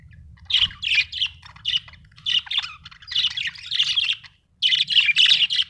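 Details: Busy budgie chirping: dense clusters of high, rasping chirps and warbled notes in quick bursts, a brief pause near the end, then another energetic burst.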